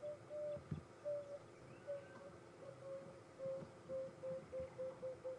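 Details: Emerald-spotted Wood Dove, watched facing away, on an afternoon safari drive at Djuma and Arathusa game reserves, 18 January 2015, gives soft, low hooting coos about a second apart that quicken into a faster run, over a faint engine hum.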